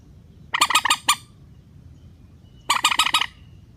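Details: Rail (mandar) call from a trapper's lure recording in a relaxed style, meant to bring birds down into nets: two short bursts of four or five harsh, buzzy, honking notes separated by a second of quiet.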